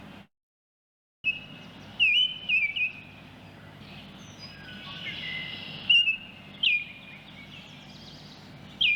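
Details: Baltimore oriole singing outdoors: after a brief silence, a few short clusters of clear, flute-like whistles are heard, several seconds apart, over a soft background hiss.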